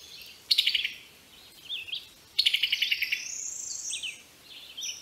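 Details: Brazilian tanager singing high, bright phrases: quick stuttering bursts of sharp chirps, each lasting under a second, followed by slurred whistled notes and a long rising sweep, against a steady faint hiss.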